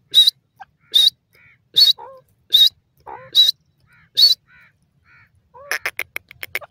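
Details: Grey francolin, called chamka teetar and dakhni teetar: loud, harsh, high-pitched notes repeated about every 0.8 seconds, with softer low whistled and squeaky notes between them and a quick burst of sharp clicks at the end.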